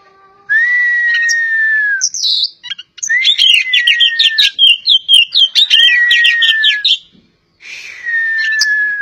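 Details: Poci-type Oriental magpie-robin from Java: long level-then-falling whistles frame a rapid burst of varied, scratchy chattering notes, with a quiet pause before a final drawn-out whistle.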